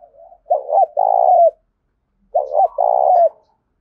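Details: Tame decoy spotted dove in rural Đồng Nai, Vietnam, giving its urgent 'gáy thúc' coo, used over a loudspeaker to lure wild doves: a soft lead-in, two quick clipped notes, then a long throaty coo, sounded twice.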